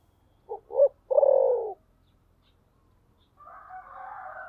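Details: Spotted dove singing in the thổ sấm voice style: two short low hoots, then a longer, loud, slightly descending coo. A rooster crows faintly in the distance afterwards.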